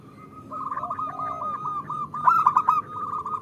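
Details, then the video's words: Zebra dove female calling the male, a call used to draw males into song: a long chain of quick, rounded coo notes at a steady pitch, rising to a louder rattling flurry partway through. "Suara Perkutut Betina Memanggil Jantan"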